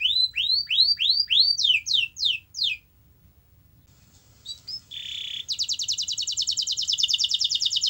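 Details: Canary song played to coax a quiet canary into singing: a series of rising, upswept whistled notes repeated about three per second, a short pause, then a fast buzzy trill held for several seconds.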